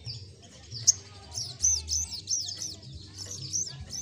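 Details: High, bouncing, arched chirps from an olive-backed sunbird run in an uneven chain after a few thin whistles, the song given 'gacor ngleper' style, with a soft low hum behind.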